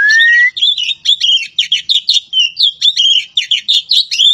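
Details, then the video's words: Javan pied starling from Java singing a dense run of loud chattering, whistled and buzzy notes, a rising whistle opening into rapid repeated phrases about every quarter second. "BURUNG KACER POCI JAWA"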